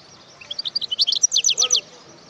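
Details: Short, high twittering phrase from a wild European goldfinch, with scattered thin notes building into a quick series of bright, downward-slurred chirps.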